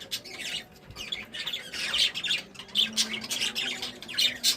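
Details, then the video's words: Several budgerigars in a small indoor room chatter happily in a steady stream of scratchy, high chirps and squawks, overlapping with barely a pause. "Happy Birds Sounds"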